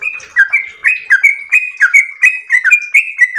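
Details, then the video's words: Trucukan, the yellow-vented bulbul, in continuous long 'ropel' singing: roughly nine bubbly whistled phrases in quick succession, mixing flat held notes with sharp downward slurs. "ROPEL MERDU trucukan gacor ropel panjang istimewa"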